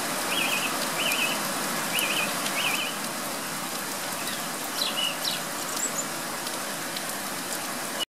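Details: Thrush singing outside a bedroom window at 7am in pouring rain; four short repeated trilled phrases in the first three seconds, then scattered thinner notes, all over a steady roar of heavy rainfall.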